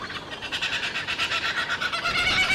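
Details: Laughing kookaburra, native to eastern Australia: loud cackling laughter, a dense run of rapid harsh pulsing notes that climbs in intensity throughout.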